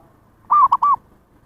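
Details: Zebra dove call used as a lure for wild birds, one rounded three-note coo, a drawn-out first note, a brief middle note and a slightly falling last note, over faint low hum.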